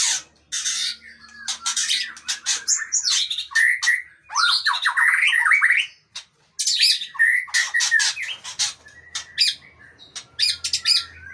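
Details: Long-tailed Aceh white-rumped shama mixing harsh, scratchy squawks and snapping notes with short whistled and warbled phrases, loud and busy, over a faint low hum.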